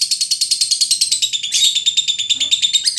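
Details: Lovebird song used as a training recording for other birds: rapid, shrill, buzzy chattering pulses repeated about three times a second. The sound briefly shifts to a harsher, denser twitter midway.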